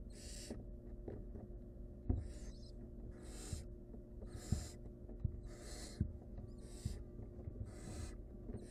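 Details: Wild barn owl nestling at a nest as its mother pulls an overly long rodent leg from its throat while it chokes; harsh, broadband hissing bursts repeat roughly every 0.7 seconds over low background rumble.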